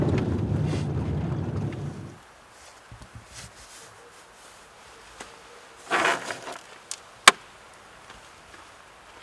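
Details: Low rumbling fades into quiet outdoor ambience broken by scattered knocks, a rustling burst and one sharp click, without animal voices.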